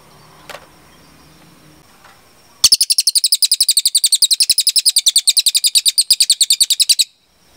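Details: Velvet-fronted nuthatch (cililin), a vigorous singer used as tutor material, after a quiet start bursts into a long, fast string of piercing high chips, about eight per second, steady for over four seconds, then cuts off.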